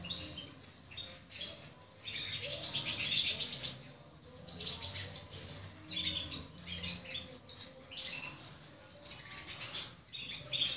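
Young Portuguese Harlequin canaries give bursts of thin, high, rapid chirps, rising and fading every second or two, with soft rustling between.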